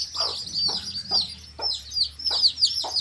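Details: Baby chicks, colour chicks, with a hen in a field: loud high peeps sliding downward in clusters, alternating with about six low, throaty hen clucks spaced around half a second apart.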